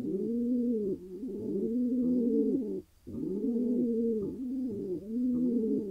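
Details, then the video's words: Soft continuous cooing from a wild male pigeon in Israel after he finally found a mate, rolling low phrases joined together, broken once by a brief silence. "He got his lady: Pigeon male happy after finally finding a mate."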